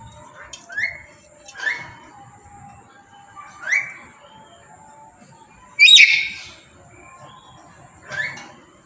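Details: Tame black-capped lory calling loudly, kept as a pet: short rising whistled notes repeated about once a second, with one louder harsh screech near the end over a faint steady hum.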